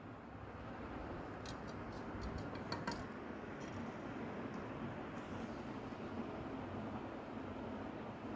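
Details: Low, steady rumbling noise like a passing train or vehicle, with a few faint high ticks and no animal voice.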